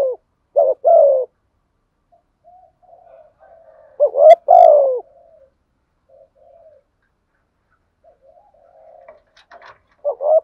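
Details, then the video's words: Spotted dove used as a decoy, cooing steadily to provoke wild doves; loud low coo phrases at the start, middle and end, separated by long stretches of quiet murmured cooing and a few faint clicks. "chim cu mồi thúc gù bài bản, chim cu gáy đẹp mã hót hay. chim cu gáy kích bổi nhanh nổi gù"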